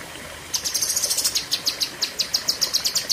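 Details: Cucak kinoi singing 'tembakan' bursts in the long 'pedes panjang' style; rapid, piercing high chips in a steady rattling series beginning half a second in and running to the end, with no other sounds.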